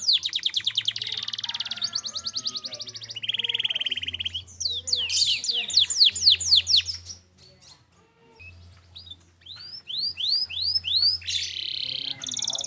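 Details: Canary song used as a training recording: rapid repeated-note trills, a lower buzzy roll, a burst of rising sweeps, a quiet gap, then rising whistles and a buzzy phrase.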